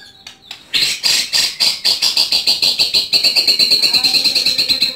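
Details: House-kept white-rumped shama giving a fast, loud, high trill of even notes, about three per second, held steady for several seconds after a few scattered opening notes.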